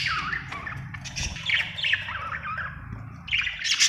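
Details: Chirping budgie: a continuous run of wavering, squeaky warbled notes that rise and fall, with chatter thickening toward the end over a steady low rumble.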